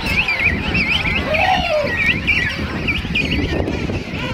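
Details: Thousands of King Penguins in a huge colony at Right Whale Bay, South Georgia Island, on Christmas morning 2008: overlapping wavering trumpet-like calls rising and falling, over constant crowd noise, with a chick flapping nearby.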